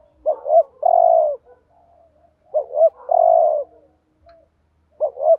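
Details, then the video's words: A decoy spotted dove coos to provoke rival males in thúc gù style, repeating a double short note plus a long level coo roughly every two and a half seconds, with a third phrase beginning at the end. "chim cu gáy thúc gù BÀi BẢn/ tiếng chim cu gáy kích bổi và mồi rất xiêng gáy"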